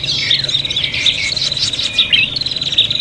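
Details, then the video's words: Short burst of agitated prinia fighting calls, used as a lure: rapid buzzy chatter and quick high chips crowding together without pause. "suara prenjak pikat ribut tarung"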